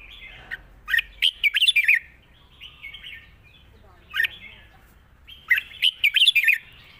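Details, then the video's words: Red-whiskered bulbul, light-voiced and singing easily, performs its long song with 'rik' notes. Two loud phrases of rapid, cheerful whistled notes climb and dip, with a quieter chirped phrase between them. "ปากเบา+ร้องง่าย เพลงยาวมีริก"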